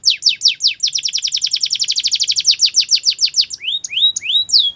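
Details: Russian canary in song, delivering a long rapid series of sharp descending chirps, about eight per second, that ends in several rising and falling whistled slurs, high and clear with no other sounds.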